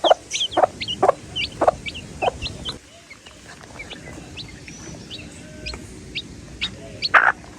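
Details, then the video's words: Baby chickens calling to one another give thin, high peeps scattered throughout, while lower, abrupt clucks repeat about twice a second for the first few seconds. "The Chicks Peep Sound"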